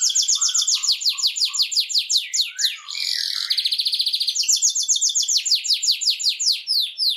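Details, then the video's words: Canary song played to motivate canaries to sing: rapid trilled tours of repeated downward-sweeping high notes, a buzzy rattling section midway, then more fast repeated slurred syllables, loud and continuous. "تحفيز طيور كناري على التغريد"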